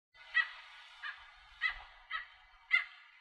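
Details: A Bridled Tern calls from its nest with a chick on rocky nesting ground at Arecibo, Puerto Rico, in 2015: five harsh, nasal yelping notes about half a second apart, over steady background hiss.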